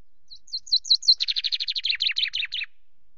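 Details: Chaffinch singing from a camera perch at Loch Garten on 24 May around 17:02, between bouts of preening: about five clear, high up-slurred notes, then a fast, buzzy trill that drops in pitch and ends in a brisk flourish.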